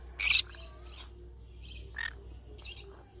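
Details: Yellow-sided conure parrot giving one loud, harsh, rasping squawk near the start, followed by a few faint, scattered chirps over a quiet background.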